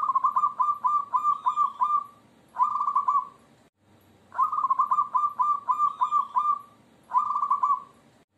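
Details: Zebra dove, a local bird singing in the jogoboyo style, gives two full song bouts. Each is a run of rapid, even, mellow cooing notes followed by a shorter rolling coo, with a brief quiet gap between bouts.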